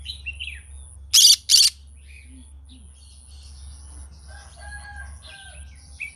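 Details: Morning song of a green-cheeked conure, with a pair of loud rasping screeches close together, then soft scattered chirps and squeaks in a quiet room.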